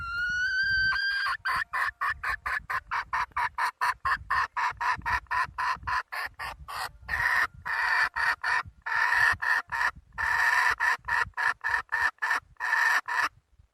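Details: Wild hen of the red junglefowl opens with a brief rising whistle, then keeps up a long, fast run of harsh cackling syllables, roughly four each second, with a faint low hum underneath.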